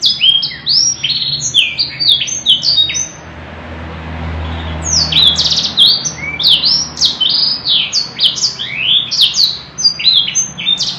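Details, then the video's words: Canary singing gacor-style, long and ornate: bursts of high rising and falling whistles and buzzy phrases, a brief break with low background rumble, then another extended run of quick chirped sweeps. "kenari gacor panjang cengkok mewah"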